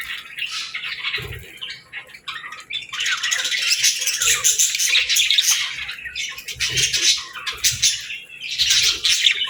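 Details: Pet parakeets and lovebirds in a morning routine: scattered squeaky chirps at first, then swelling into a lively overlapping chatter, with occasional low thuds.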